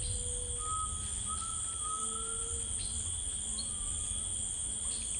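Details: Grey tinamou singing in rainforest: long, pure, steady whistles, some low and some higher, drawn out one after another over a constant high insect drone.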